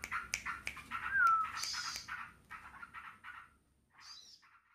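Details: Yellow-vented bulbuls in a noisy ngebren exchange, answering each other; warbling chatter with a clear slurred whistle and a high squeaky note, fading to a quieter phrase with brief clicks.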